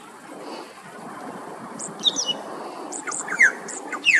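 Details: Male Australasian figbird in Queensland, Australia, singing on an afternoon: scattered high chirps build into sharp, falling whistled notes near the end, with steady soft outdoor noise underneath.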